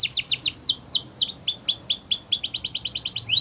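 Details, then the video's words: Canary song in Spanish Timbrado style, loud and high: rapid trills of steep falling notes, then slower downward sweeps, then a fast even trill of short notes. "Canaries Singing In The Wild"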